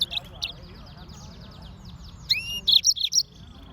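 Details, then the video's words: Yellow-fronted canary, Serinus mozambicus, singing: opening high chirps, a soft run of rapid twittering, then sweeping upslurred whistles and a loud series of sharp, bright chirps. "Yellowfronted canary - Serinus Mozambicus - Beautiful Bird Chirping"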